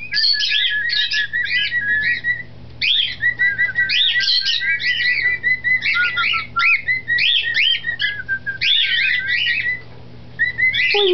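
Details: 2008-hatched male cockatiel, White Face split Recessive Silver Pearl, warbles a bright, fast string of rising and falling whistles, nearly without pause, over a faint low hum, apparently showing off; his father sings in the background.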